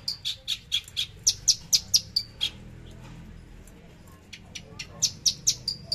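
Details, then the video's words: Javan bush lark, a kept bird, singing in the trotol tembakan style: bursts of sharp, high, clipped notes repeated about twice a second, a brief quiet gap, then another rapid run of staccato chips. "Branjangan javanica lepas trotol tembakan sadis"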